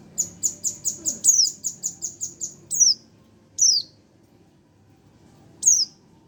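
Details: Young Oriental white-eye, one month old, opens with a fast run of about ten short high chips, then gives a few separate sharp descending tseeu calls with long pauses between.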